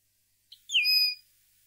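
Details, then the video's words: Common linnet on a tutoring recording for young linnets: a short soft pip followed by one pure whistled note that drops in pitch and holds, ringing with overtones, against silence. "CD CAMPERO PARA EDUCAR PARDILLOS"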